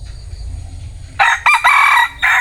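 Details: Crowing bantam rooster: after a quiet start, a loud, hoarse crow in choppy bursts, the last held note rising then cut off, with low background rumble.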